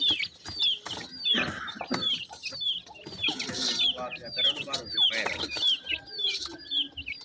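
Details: Sindhi partridge chicks, newly hatched, in fields of Pakistan: a rhythmic series of piercing, high downslurred peeps, nearly twice per second, with light rustling and tapping noises behind.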